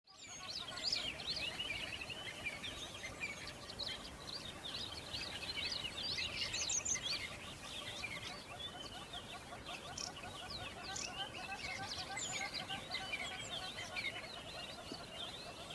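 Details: A helmeted guineafowl flock taking flight gives a dense, overlapping chorus of harsh, grating, rapidly repeated cackles.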